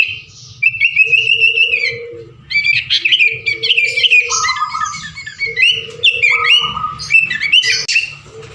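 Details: Crowded, energetic sooty-headed bulbul song for prompting other birds: a jumble of sharp chirps and bubbling phrases that rises and falls in loudness, with humming tones beneath.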